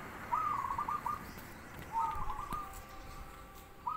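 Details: Zebra dove giving two rolling, trilled cooing phrases about a second long each, spaced roughly 1.5 seconds apart, a third phrase beginning at the end, over faint background hiss.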